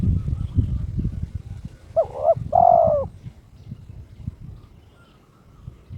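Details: Kept spotted dove in breeding condition, calling out a challenge to a rival: a single clear coo phrase, a fluttering double note then a long even coo, amid steady low-pitched background noise.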